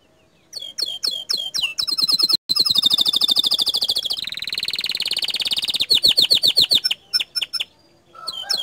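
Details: Canary, bottle-green colour, delivering the 'tembakan' burst song used to rouse other canaries; spaced loud chips run into an extended dense rolling trill that shifts lower and buzzier, then slows back to separate sharp notes.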